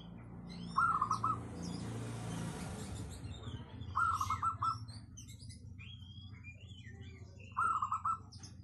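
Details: Local zebra dove repeating brief trilled coo phrases roughly every three and a half seconds, three bursts in all, over a steady low rumble and a passing noise swell.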